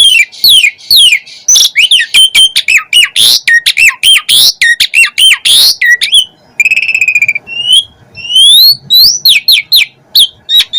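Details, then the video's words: Asian pied starling pouring out a long, dense song of fast chattering notes and harsh screeches, then a buzzy trill and rising whistled slurs. "Jalak Suren Gacor Full Isian"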